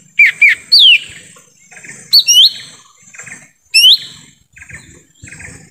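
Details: Lesser green leafbird calling in forest, a lure for wild birds: rapid clusters of two or three whistled notes, rising and falling slurs, with softer chirps in the background.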